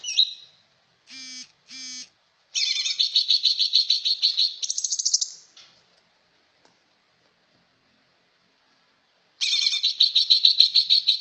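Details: Greater green leafbird song: two brief buzzy notes, then a long fast-pulsed rattling trill that climbs slightly at its end, silence, and another rapid harmonic rattle starting.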